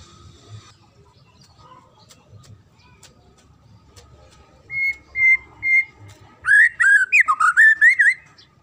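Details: Training song of a magpie-robin for young birds: after several quiet seconds come three even whistled notes, then a fast, bright string of looping, warbling whistles lasting about two seconds.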